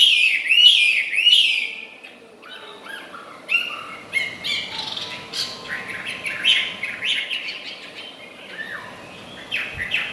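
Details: Chinese hwamei, a tame caged bird that keeps singing while feeding, opens with loud rising-and-falling whistled phrases over the first two seconds. Softer varied whistles and short chirps follow.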